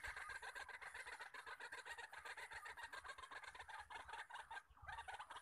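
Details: Several wild male white-breasted waterhens calling together around a trapping spot: an unbroken stream of rough, rapidly repeated croaks with a brief dip near the end, backed by a steady high insect hum.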